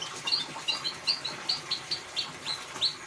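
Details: Ngeriwik-style song of a white-rumped shama, played to prompt a mute or quiet shama: sharp high chirps in a quick, slightly uneven series, roughly two to three per second, over light hiss.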